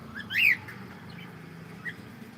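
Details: Pet cockatiel singing while playing, giving one loud arched whistled note that rises then falls, followed by a soft short chirp, over a low steady background hum.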